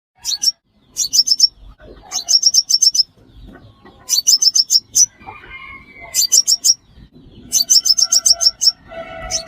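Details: Sunbird, locally called five-coloured sunbird, recorded for use as a trapping lure: rapid bursts of high, sharp chips in groups of five to eight, repeated every second or two, with faint lower chirps from other birds between.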